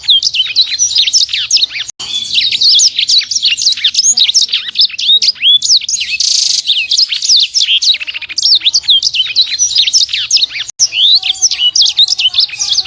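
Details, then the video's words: Imported sanger, a small bird with a sharp voice, delivering a long nonstop song of tightly packed whistled sweeps and chirps with short buzzy bursts, barely pausing between phrases. "SANGER SUPER GACOR, BURUNG ORIGINAL IMPORT!! 💥 Kecil Tapi Suaranya Pedess, Full Tembakan Rapat"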